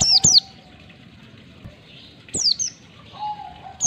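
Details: Oriental white-eye training recording for caged birds, ngalas 1-2 ketukan style: a few bright falling chirps in short pairs separated by quiet gaps, with a faint low steady tone.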